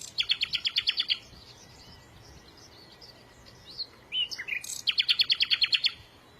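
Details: Small birds chirping: a fast run of about a dozen sharp high notes lasting a second, a pause with scattered faint chirps and a couple of buzzy slurred calls, then another quick rapid series of bright notes.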